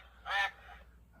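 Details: Mallard (Anas platyrhynchos): a single loud, harsh quack, nasal and broad, about a quarter second long, the classic duck sound, followed by faint background hum.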